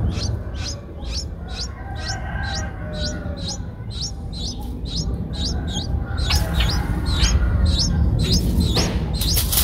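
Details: Rapid series of high, upward-flicking chirps from eight-day-old Streak-eared Bulbul chicks in Ubon Ratchathani, Thailand, recorded 10 April 2023. About three calls per second, growing louder and more crowded toward the end.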